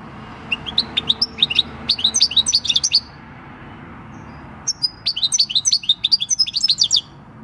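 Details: Wild-caught six-year-old European goldfinch singing the song typical of the field, 26 December 2019; two phrases of quick high twittering notes separated by a silent pause of more than a second.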